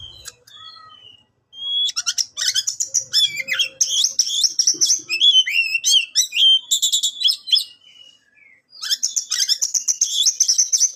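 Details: Captive-bred Oriental magpie-robin singing: a few soft scattered whistles, then an energetic burst of high trills, sharp chips and varied slurred whistled phrases, a brief pause, and another rapid trilling run.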